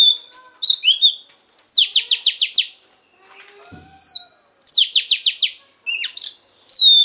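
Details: Female Oriental magpie-robin song meant to stimulate the male: varied whistles alternate with two bursts of five or six rapid, harsh repeated notes, separated by short pauses, and a brief low knock between phrases.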